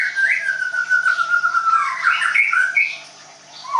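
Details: Caged white-rumped shama in Tangerang giving a long, steady whistled note that slides slightly downward, followed by a burst of quick warbled notes and a brief pause.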